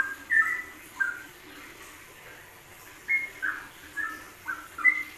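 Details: Yellow-vented bulbul song, ropelan style, used as a training recording for songbirds: short liquid whistled phrases in quick bursts, a few in the first second and a denser run after three seconds, over faint background hiss.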